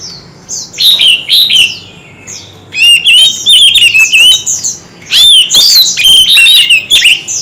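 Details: Oriental magpie-robin singing in a fierce duel with many varied voices. Two bursts of bright whistled notes, then a long run of loud warbling with slurred, wavering whistles and sharp high chips.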